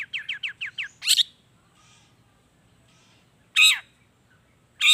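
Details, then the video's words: Long-tailed shrike lure song: a quick run of five rising chirps, then a harsh scratchy burst, a long silence and two more loud grating calls spaced over several seconds. "SUARA CENDET GACOR ISIAN ALAM || ANTI GAGAL efektif bikin cendet malaspun langsung ikutan bunyi"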